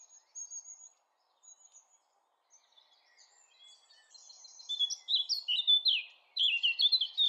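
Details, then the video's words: Eurasian blackcap singing: a few thin high notes and soft twitters at first, swelling into a loud run of rich fluting whistles in the last seconds. "SONG OF THE BLACKCAP"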